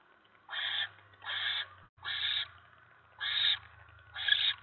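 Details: Mouse delivered at a barn owl nest, 10 November 2017, 7:50 PM; five harsh breathy screeches about a second apart over a low electrical hum.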